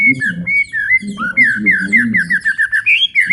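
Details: A white-rumped shama sings the long 'ngalun panjang' style meant to excite other birds and teach young shamas; loud whistled slurs, then a fast rhythmic series of repeated dipping notes, rising at the end.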